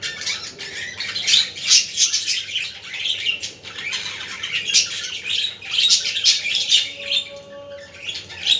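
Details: Budgies warbling to stimulate other budgies: busy, high-pitched chattering with quick chirps and squawks, loud pulses about twice a second.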